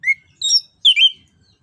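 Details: Orange-headed thrush song meant as a lure to get a silent or reluctant bird singing, described as fluent and rolling: three short, sweet whistled notes, the first lower and the following two higher and more warbled, with a quiet background.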